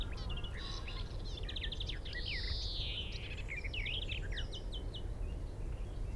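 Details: A male European greenfinch singing in a tree at Minsmere, about 25 m away, gives fast twittering trills broken by one long, drawn-out nasal wheeze, against a steady low rumble of wind.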